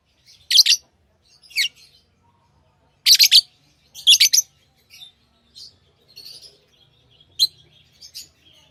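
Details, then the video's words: Tame pet lovebirds giving a series of loud, high, squeaky chirps, some in close pairs, which fade into softer scattered twitters. "Love birds Sounds | lovebirds chirping sounds"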